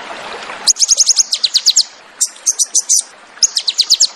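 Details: Crested jay singing the 'tembakan' style described as fierce: rapid runs of piercing, high, ticking notes in short bursts of five to eight, separated by brief pauses, over a faint hiss.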